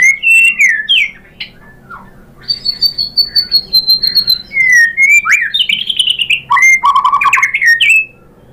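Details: Song of a white-rumped shama to draw other birds into singing: slurred whistles, a long steady high trill, then rich descending and rising whistled phrases.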